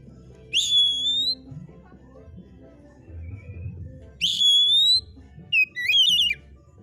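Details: Oriental magpie-robin singing actively: loud, clear whistled notes rising slightly in pitch, each held under a second, then a quick burst of twisting, warbled notes, with low background hum between phrases.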